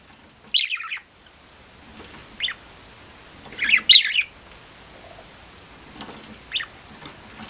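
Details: Aged pet budgerigar, loved by the owner's late mother, calling indoors with bright, scratchy chirps and a louder chattering burst in the middle. The notes come in irregular bursts over faint background noise.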